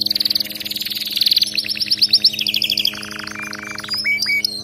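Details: Canary song intended for training: quick high pulsed trills give way to a lower, rapid buzzy roll, then a few separate rising whistled notes at the close.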